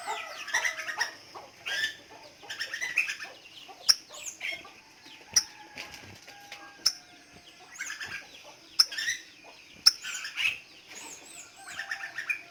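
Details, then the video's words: Sunbird singing in high, fast bursts of twittering notes and short rising chirps, broken by sharp clicks and brief pauses. "BURUNG MADU"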